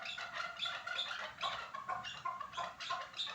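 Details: Chukar partridge at Norak giving continuous harsh, squawking clucks, closely spaced pulses with a few clearer ringing notes, steady and loud across the short stretch.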